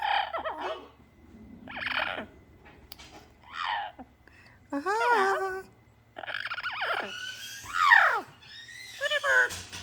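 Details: Talking pet parrot in its morning repertoire indoors, producing a string of speech-like harmonic phrases with bending pitch, several rising and falling whistled syllables, a person speaking nearby and applause.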